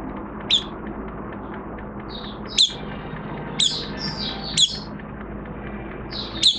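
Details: Oriental white-eye (Zosterops palpebrosus) beginning to sing while in minor moult, 3 June 2022: thin, high, sharp notes about once a second, with softer twittering phrases between them over a low background hum.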